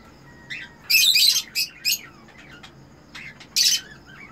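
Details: Breeding pair of Eno red-eyed cockatiels calling as they mate: a quick run of harsh, scratchy squawks and clicks, several notes in a second, then a pause and one more rasping burst.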